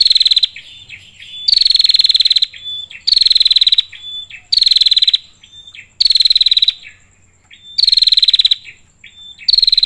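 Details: Female prinia calling to the male: loud, buzzy, rapidly pulsed high trills about a second long, repeated every one to two seconds, with short thin whistled notes between bursts and a faint steady high tone behind.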